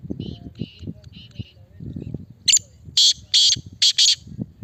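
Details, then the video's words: Male black francolin call: faint grating notes early, then a loud, harsh phrase of four or five rasping notes in the second half over soft low rumbling. "Kala Teetar Bolna Shuru | نہ بولنے والا تیتر بھی بولے گا"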